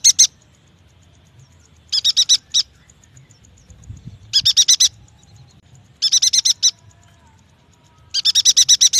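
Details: Yuhina song used as a lure to get young or quiet yuhinas singing: short bursts of four to six quick, high chirping notes, repeated roughly every two seconds, with faint low rumble between phrases.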